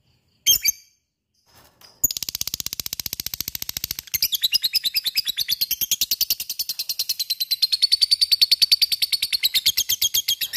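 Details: A lovebird's high ngekek chattering, aimed at provoking other lovebirds to sing: a sharp call and a pause open the passage, followed by a long, rapid, buzzy rattle of evenly spaced notes.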